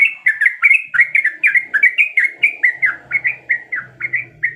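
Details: Yellow-vented bulbul female calling a male during breeding condition: a crisp, rhythmic string of about twenty bubbly, chirped notes, clean and close, in a quiet setting.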